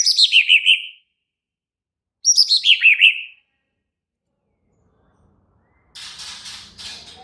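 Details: Agitated White-rumped shama twice delivering a loud descending trill of about six quick notes, followed by silence and a soft rough rustling noise.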